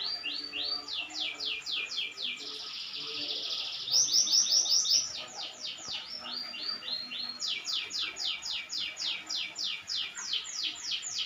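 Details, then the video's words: Canary singing persistently: rapid trills of downward-sweeping whistled notes that change tempo from phrase to phrase, with a brief buzzy, rattling run near the middle before clear trills resume. "Kenari Gacor"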